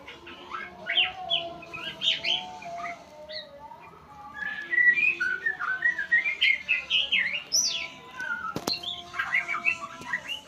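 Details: Learning-session singing by a white-rumped shama: long varied medley of whistles, sweeping notes and twittering bursts that grows busier and louder halfway through, with a brief click near the end.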